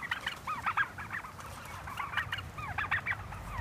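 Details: Flock of farm Heritage turkeys following people through a pine stand to pasture, giving a busy run of bent, rising-and-falling yelping notes in quick clusters throughout, with a low rumble of movement beneath.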